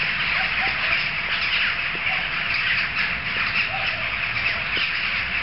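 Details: Jackdaws gathered in a noisy group, audible from several streets away; a dense chorus of short harsh overlapping calls with a few clearer clipped notes standing out above a constant wash of chatter.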